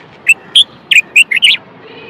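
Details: Male Moroccan common bulbul song, meant to stimulate males to sing and ready females for mating: six loud, rich whistled notes in a rapid varied phrase, some rising and falling, lasting about one and a half seconds.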